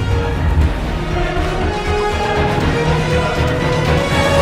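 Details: Loud, steady, driving music with a strong low beat and sustained tones fills the whole recording, with no animal voice audible.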